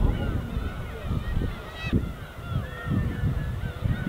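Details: Several gulls flying as a flock over the winter East Sea coast give nasal, slurred, overlapping mewing calls that rise and fall, over a steady low rumble of gentle surf.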